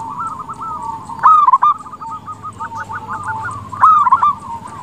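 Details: Local zebra dove singing actively, used to lure rival doves into answering: a steady, mellow cooing trill with two louder, brighter stuttered phrases, over soft background noise.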